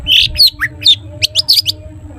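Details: Long-tailed shrike song aimed at prompting other shrikes: short, buzzy, harsh chattering notes in quick succession over about two seconds, above a faint low hum.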